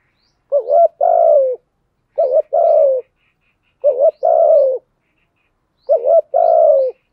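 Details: A spotted dove trained as a decoy repeats its gáy luân khổi coo in a deep thổ sấm voice. Four evenly spaced phrases, each a short tremulous note and then a longer, soft, descending coo, in a quiet background.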